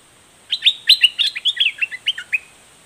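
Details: A straw-headed bulbul, a kept bird, gives a quick run of about a dozen bright, clipped chirps over two seconds, in a song contest against wild birds; a faint steady high hiss runs underneath.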